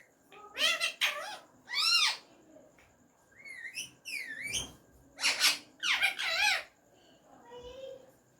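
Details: Hand-tame pet ringneck parrot talking in Urdu/Hindi, saying "Mian Mithu": several bursts of warbling, speech-like syllables with wavering tones, separated by short pauses, indoors.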